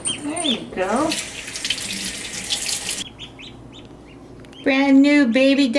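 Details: Newly hatched domestic ducklings, hatchlings left behind when the mother abandoned the nest, give high rising-falling peeps; running water from a tap masks the middle, and a louder harmonic-rich cry ends the recording.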